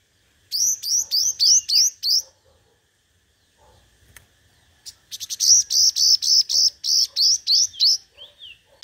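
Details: Five-colour sunbird competitive song for use as a decoy. A fast run of rising whistles, a quiet pause with a click, then a dense, buzzy, regularly repeated series of high notes ending in a thin falling whistle.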